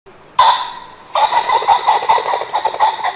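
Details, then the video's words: A pheasant gives a harsh, nasal held note, then a fast stuttering run of raspy clucks lasting two seconds, with no other clear sounds. "Pheasant Sound"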